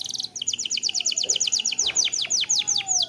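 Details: Canary lure song meant to trigger singing: rapid series of high descending whistled notes, repeated several times a second, steady and rhythmic.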